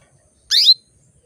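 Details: Female canary calling to bring males into breeding condition: one loud, bright chirp that sweeps downward, with silence before and after it.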